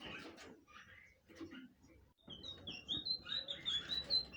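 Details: Blue flycatcher song that begins after a noisy first half: high, clear whistled notes and short slurred phrases, quickly repeated and growing louder toward the end, over low background rumble.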